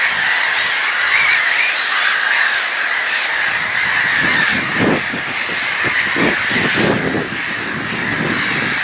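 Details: A noisy gathering of gulls keeps up harsh, overlapping squawking without a break. Some single cries stand out at the start, and low buffeting rumbles come in later.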